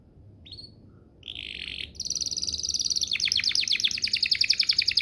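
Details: Canary lure song meant to prompt other canaries to sing: a brief whistle and a buzzy note, then a fast rolling trill that grows into rapid repeated chirps, loud and continuous.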